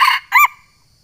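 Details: Crow of a Sumatran junglefowl challenging a rival, used for luring. Two short, harsh, harmonic notes: a flat first burst, then an arched rising-falling one, followed by silence.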